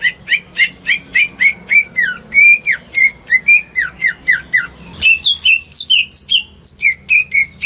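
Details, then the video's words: Greater green leafbird raised at home, its song meant to stimulate silent birds; steady rapid sequence of bright chirps and whistled slurs, then higher varied notes after a short break, clear and loud throughout. "Cucak Ijo Rumahan Yang Cocok Buat Pancingan Burung Macet"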